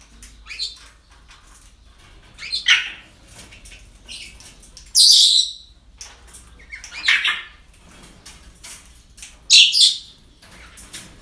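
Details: Parrots kept at a breeding centre: a string of harsh, high squawks of varying loudness, about one every two seconds, with two louder screeches standing out.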